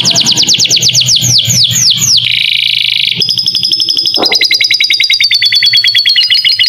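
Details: Canary master track including lovebird-style phrases, for young birds: rapid descending whistled notes, a buzzy roll, then an extended fast level trill gradually falling slightly in pitch.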